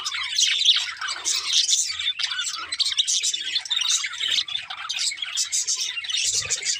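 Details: Budgerigars chirping happily while playing, several calling at once: continuous high, scratchy warbling and quick chirps, intensity swelling and dipping, with a brief low thump near the end.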